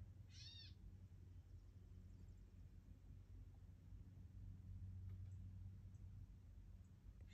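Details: Gray catbird producing one quick, slurred, cat-like mew at the opening, followed by quiet low hum and faint background sound.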